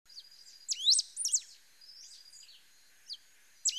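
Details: Pale-throated pampa-finch song: short high phrases of sharp downslurred and upswept whistled notes around 0.7–1.4 s, a quieter stretch, then another bright phrase near the end; faint steady high hiss.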